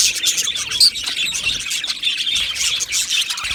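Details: Chorus of Australian budgerigars in an aviary colony, 12 July 2025, a busy overlapping stream of shrill chirps and warbling squeaks that rises and falls slightly in loudness.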